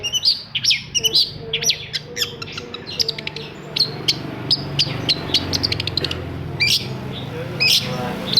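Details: Long-tailed shrike singing as a lure for silent shrikes: quick, scratchy high chirps and brief whistled notes in uneven clusters, with a low background hum throughout.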